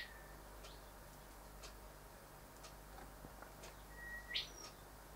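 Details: A male Rufous whistler calls by the windows he often visits: one steady level whistle, faint ticks through a quiet stretch, then another held whistle ending in a single loud upward whip-crack.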